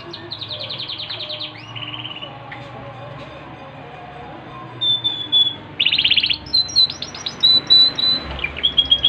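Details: Yorkshire canary singing in lively form: high rapid rattling trills, then a quieter stretch, followed by louder bursts of sharp whistled notes and quick chips in short repeated phrases.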